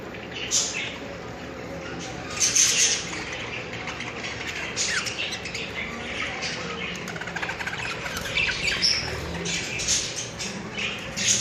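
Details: Sleeping pet budgerigars, disturbed, give scratchy, high chattering calls and brief squawks in uneven bursts.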